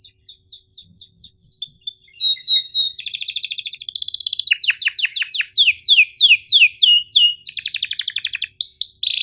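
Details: Canary in full, long sharp 'cuit ngerol' song for training hesitant or young singers: soft repeated high chips build into rolling trills and a long series of steep downward sweeps, ending with a held tone.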